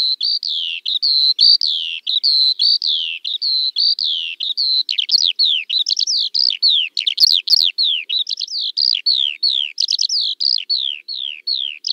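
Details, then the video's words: A skylark sings a sustained high warble, first a run of evenly repeated chirps, then a fast series of quick downward-slurred notes, all in one continuous flow. "Kiurun / Leivon laulua | Skylark Singing"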